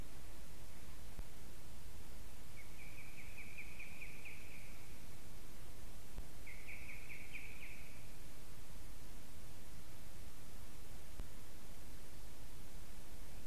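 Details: Ospreys at a nest in Latvia, filmed by a live nest camera on 10 August 2017 at 19:08, competing over a fish. Two bursts of rapid, repeated high chirping notes, each lasting about two seconds, over a steady background hiss.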